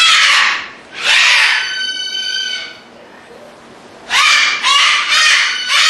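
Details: Displaying cockatoos give loud, harsh screeches in rasping bursts about a second apart, with a brief, more tonal squawk between them.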